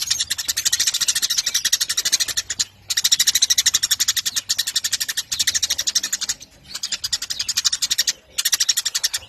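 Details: Long chattering run from a Eurasian tree sparrow: dense bursts of quick, high, rasping pulses lasting one to three seconds each, split by short silent pauses.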